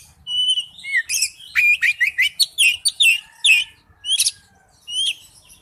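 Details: Oriental magpie-robin singing a wild-type forest song: clear whistles followed by a busy run of sharp downslurred notes, easing into spaced calls, with faint low background hum.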